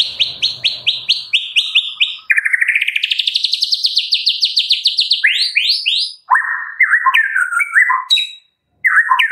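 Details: Medan white-rumped shama delivering fill-in song: repeated high notes, then a long fast rattling trill, descending slurs and jumbled whistled phrases, ending after a short pause.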